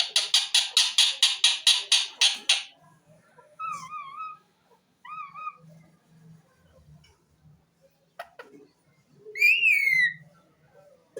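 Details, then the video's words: Pet ring-necked parakeet, a green talking parrot: a fast run of about a dozen raspy chattering pulses, then small wavering whistles, quiet murmurs, and a loud, sharp screech. "lovely green parrot bird talking"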